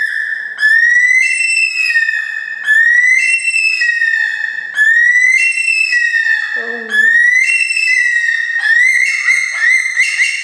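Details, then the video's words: Bush stone-curlew calling at Gold Coast, Australia, near people who encourage it: rising, ringing whistled notes repeated about every two seconds, building into a rapid series, with a short burst of human voice. "Cry of the Bush Stone Curlew"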